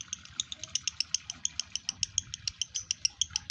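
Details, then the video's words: Male lovebird in breeding condition, caged, giving a steady series of sharp high clicking chips, roughly seven per second, over soft background chatter. "Lovebird Jantan Birahi Lari Ke Bunyi"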